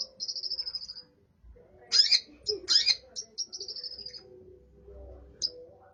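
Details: Long-tailed shrike with burung gereja (sparrow) imitation in its song: a high, thin twittering trill, two loud harsh chirp bursts, another trill, then a single sharp chip.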